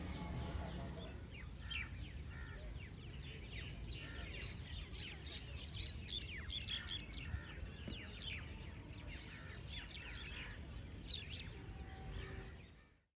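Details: Common mynas (Acridotheres tristis tristis) in Delhi, India, in December 2023, chatter steadily with a jumble of short squawks, clicks and sharp whistled notes, over a constant low rumble of background noise.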